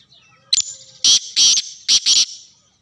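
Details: Black francolin in Sindh, Pakistan: a loud, harsh grating call, one short clipped note followed by two pairs of rasping, buzzy bursts, the whole phrase lasting about two seconds against a quiet background.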